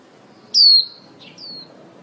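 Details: Female white-eye used as a lure for trapping, calling the flock. One strong high, thin, descending whistle is followed by a softer, shorter whistle on a similar falling line.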